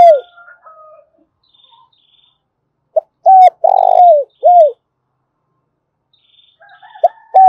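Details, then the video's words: Spotted dove call used as a lure to stimulate calling: a loud sequence of arched coos around one long, falling coo, with quieter cooing and a faint high tone before and after. "Tiếng chim cu gáy thúc cực sung/ chim cu gáy kích bổi hiệu quả"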